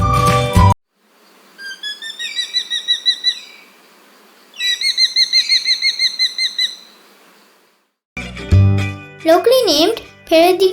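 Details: Oriental hobby, a small falcon and rare winter visitor to Sri Lanka, seen around forest clearings and high perches, gives two rapid bursts of shrill, clear repeated notes, about ten to a dozen each at roughly five per second; brief music and talk bracket them.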